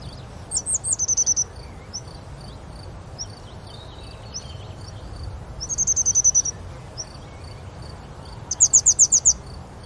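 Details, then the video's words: Grey wagtail at Oukaimeden near Marrakech, Morocco: three quick bursts of about seven sharp, very high notes, spaced several seconds apart, over softer high chirps from other birds and a steady background hiss. "grey wagtail"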